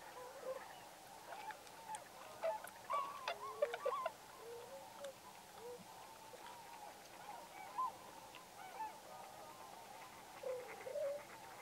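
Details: Tundra swans at Pocosin Lakes National Wildlife Refuge, north-eastern North Carolina, in November 2017, keep up a steady chorus of mellow, high, hooting whoops, many voices overlapping with occasional louder bursts.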